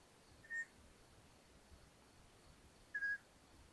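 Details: Long-eared owl nest in Hungary, 13 May 2022, mother delivering a mouse to the young: two short, high whistles spaced about two and a half seconds apart, the second slightly longer, over faint hiss.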